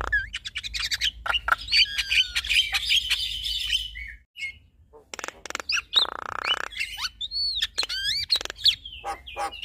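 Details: A male and a female Javan myna sing together in a medley: dense squeaky whistles and warbles with clicks, a brief pause, then more clicks, a harsh grating buzz and arched whistled notes.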